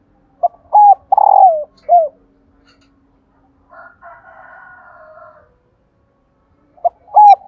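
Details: Female spotted dove cooing to encourage males to call: a four-part coo phrase with a long falling middle note, a soft buzzy wavering sound, then the phrase starting again.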